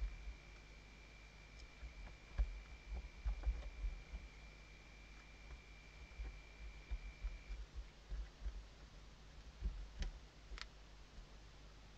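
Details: A steady high electronic whine runs for several seconds over a low hum, with scattered clicks, taps and rustling in a small enclosed space.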